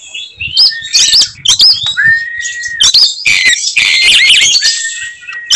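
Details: Oriental magpie-robin (kacer), aggressive and provoking other magpie-robins with its characteristic 'tembakan' notes: harsh squawky bursts and a sustained whistle, followed by a long, loud, rasping buzzy phrase.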